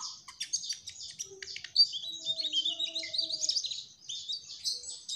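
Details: Mugimaki flycatcher singing busily in trotol style: a tumbling stream of high, squeaky notes and fast rattles with brief pauses, over a quiet background.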